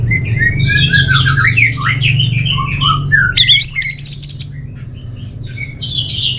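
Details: Orange-headed thrush from North Bali, Singaraja, singing a varied run of whistled and warbled phrases that rise and fall, ending with rapid sharp repeated notes, over a steady low hum in a small room.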